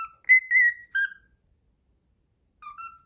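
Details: Pet cockatiel whistling the Pythagora Switch opening theme: a few clear whistled notes, a brief sliding phrase near the start, then a pause and softer repeated notes at the end.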